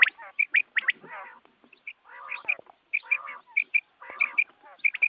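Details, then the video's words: Quail calling at dawn for hunting use: short piping notes alternating with low, rough chattering phrases, repeated in loose groups. "batair ki awaz subha k liye"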